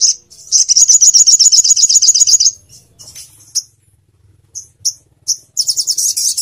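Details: Crimson sunbird song played to train other songbirds: a long, fast, high trill of sharp repeated notes for about two seconds, then scattered short chips, and a final rapid high trill.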